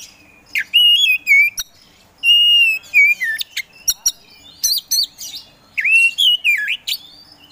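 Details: Kacer poci Oriental magpie-robin singing to spur quiet birds: long sweet whistles with wavering ends, broken by sharp clicks and chips, plus a louder twisting phrase near the end.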